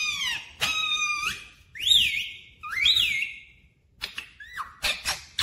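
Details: Pet talking parrot, said to speak 'mummy papa' clearly, giving drawn-out whistled tones that rise and hold, followed by short falling notes and clicks.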